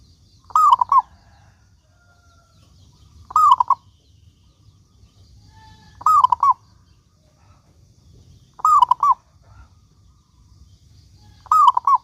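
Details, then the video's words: Local Indonesian-type zebra dove in lively song, played to spur other doves to sing: five identical cooing phrases, about every two and a half seconds, each a rising drawn-out coo then two clipped follow-up notes, over a faint low hum. "Perkutut Lokal Gacor Suara Paling Ampuh Untuk Pancingan Burung Perkutut Agar Bunyi gacor dor"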